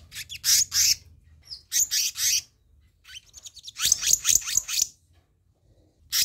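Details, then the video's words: Black-naped monarch as a lure for wild birds: three groups of harsh, scratchy notes, each delivered as a rapid stuttering series and separated by short pauses. "Masteran/Pancingan Kehicap Ranting"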